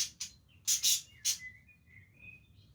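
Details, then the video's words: Budgerigars playing with each other: a few harsh broadband chirps followed by a soft, thin warbling whistle that wavers and rises slightly, over a quiet low hum. "Budgies playing with each other"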